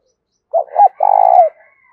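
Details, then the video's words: Spotted dove close by singing in the giọng thổ style with a little đồng: a quick double coo, then a sustained vibrating coo that slides down at its end, in a quiet setting. "cu gáy giọng thổ pha tí đồng"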